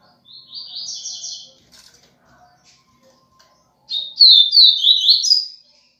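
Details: Double-collared seedeater singing the viviti song style: two quick bursts of high, sweet twittering notes, a softer first phrase and a louder second phrase of slurred, dropping whistles, separated by a few seconds of near silence.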